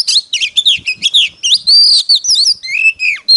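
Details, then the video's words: Oriental magpie-robin decoy in competitive song, meant to call wild birds; quick chattering notes give way to longer sweet whistles and descending slurs, vivid and unbroken. "Chích choè than hót đấu"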